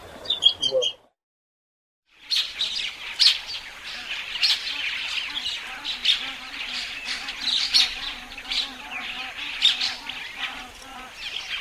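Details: Common starling in full song: a dense, rambling stream of clicks, rattles, squeaks and high whistles, with lower warbling notes beneath. A brief high chattering phrase comes first, followed by about a second of silence.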